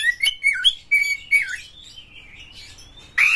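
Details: Caged white-rumped shama singing as a lure for other shamas: a run of warbled whistles, a long level whistle drifting upward, and a loud harsh burst at the end.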